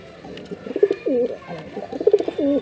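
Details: Male jeera pigeon performing, giving soft, low, rolling coos in a repeated series of throaty swoops and bubbling notes; faint room background.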